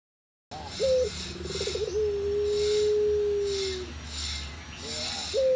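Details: Barbary dove of the puter pelung type, a contest champion: a brief rolling, wavering lead-in, then one long, steady, low whistled coo held about two seconds and gently falling, and a short rising note starting again, over a rhythmic background hiss.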